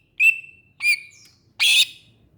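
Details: Greater green leafbird, called cucak ijo, giving three loud notes: two clear whistles near the upper-middle range, the second shorter, then a harsh broadband burst.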